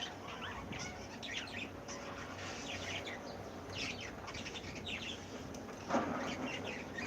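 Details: Breeding cockatiels awaiting new chicks, a steady chorus of quick chirps and squeaky rising notes from several birds, repeated in clusters, with a low background hum and a sharp knock near six seconds.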